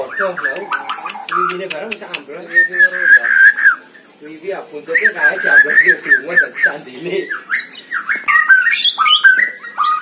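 White-rumped shama in rich, varied song: quick runs of clear whistles mixed with harsh chatters and clicks. Faint voices can be heard in the background.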